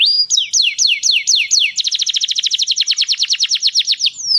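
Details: Canary song for stimulating hens to mate: six slow, descending whistled sweeps, then a fast rolling trill of rapid repeated notes lasting over two seconds, closing with a falling slur.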